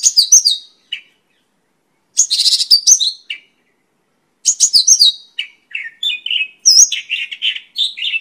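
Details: Song of a Mongolian lark (pakling): high chirping phrases with one harsh buzzy burst, then a run of lower slurred warbles toward the end, clean background.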